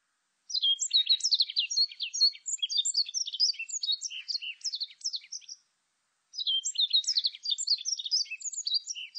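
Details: Warbling white-eye song: two long bursts of rapid, high, jumbled twittering notes with quick up-and-down slurs, split by a brief pause, with no other sounds present.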